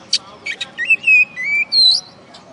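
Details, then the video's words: A brief phrase from a caged oriental magpie-robin that won a singing contest in West Kalimantan, Indonesia: a few sharp clicks, then clear sliding whistles that dip and climb, ending on a high note. "Video Kacer Juara 1"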